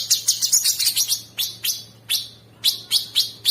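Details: Sooty-headed bulbul in training audio for champion songbirds, featuring rough fill. A fast flurry of scratchy, high chirps is followed by slower, spaced buzzy notes, with irregular rhythm and little background noise.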